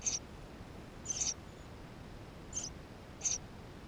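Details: Eurasian tree sparrow nestlings calling from inside the nest, recorded with a GoPro: four sharp, high squeaky notes about a second apart. The background is otherwise quiet.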